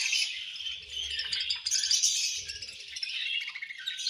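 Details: Flock of budgerigars at feeding time giving a steady wash of raspy, high warbling chatter with little pause, over faint low rattling from the enclosure.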